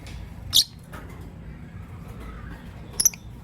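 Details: Green Personata and pastel white lovebirds kept indoors, morning; a shrill, bright chirp, a pause of over two seconds, then a quick doubled chirp, against soft low background hum.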